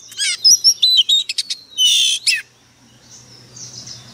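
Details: Oriental magpie-robin used as a decoy, in a fierce singing mood: a quick string of harsh chattering notes and short whistles, ending in a loud rasping burst, then near silence.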